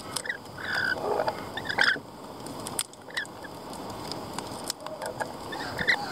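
Lorikeets give harsh, shrill screeches in short bursts, clustered early and then scattered, over steady background hiss.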